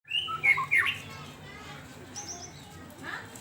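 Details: White-rumped shama song used as a lure to raise breeding drive: a quick run of clear, loud whistled notes in the first second, sliding up and down, then only faint, quiet background.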